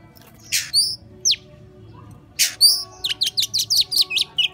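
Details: Oriental magpie-robin song in the "13 kiếm" performance style: two loud harsh high bursts with slurred whistles, followed by a quick series of sharp repeated downslurred notes.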